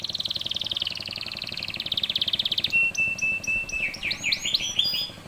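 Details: Canary in full song, used to train young canaries to sing: a long buzzy trill held for nearly three seconds, then spaced clear whistles and quick rising swoops, over faint background hum.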